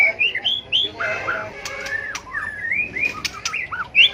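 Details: Competitive fighting song of a white-rumped shama kept for song training: sliding whistles, rising and falling warbled notes and sharp clicks, some wing-flutter noise mixed in.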